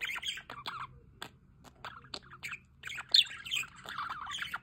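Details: Budgerigars near a solar water fountain, with quick warbled chatter at the start, a quieter patch of clicks, then renewed overlapping twittering and a brief shrill note.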